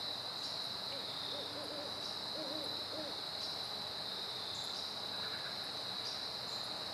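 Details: Great horned owls in a duet, recorded September 15, 2012: a faint run of soft, low, rounded hoots in quick succession, partly buried under a steady, loud, high chorus of crickets or other insects.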